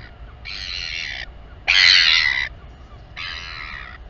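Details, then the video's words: While a royal albatross mother feeds her chick at Taiaroa Head, New Zealand, three loud, harsh, buzzy bursts come one after another, each lasting under a second, the middle one loudest, over quiet background wind. "Royal Cam Albatross - Mom LGL feeds the chick."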